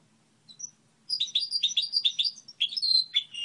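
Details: Song of a Goldfinch hybrid kept as a model singer: after a faint opening note, a run of quick, high, chirpy twitters leads into longer clear whistled notes near the end.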